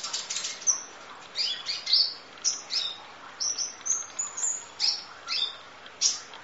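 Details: Masteran of a kolibri ninja sunbird, full 'isian nembak': a lively stream of high squeaky chirps, thin whistles and buzzy notes, repeated in quick bursts through the passage.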